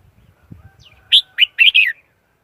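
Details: Red-whiskered bulbul kept as a decoy for catching wild birds, giving one brisk phrase of four sweet, bouncing whistled notes after faint low knocking sounds.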